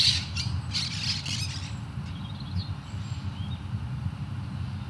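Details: Great spotted woodpecker in the El Retiro orchard, Madrid, giving a quick run of five or six sharp, high 'kik' calls over a steady low rumble of distant traffic.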